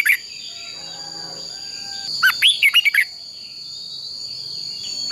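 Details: A short burst of clear, quick whistled notes from a red-whiskered bulbul, fighting-song training, set against a continuous thin high whine and long quiet stretches.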